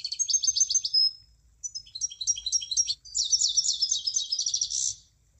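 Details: Munia song in three bursts of high, quick chirps and trills separated by brief gaps, the last burst a dense buzzy rattle of repeated notes.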